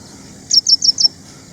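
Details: Ashy Prinia, a small songbird of gardens and farmland in India, giving four quick high chirps, each a short down-slurred note, spaced about a sixth of a second apart, then silence with faint low background hum.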